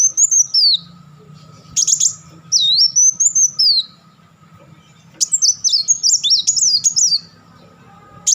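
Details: Purple-throated sunbird, called kolibri wulung, delivers high swooping whistles. Then come bursts of sharp ticks and a fast, jumbled run of looping notes toward the end, with a soft low hum beneath.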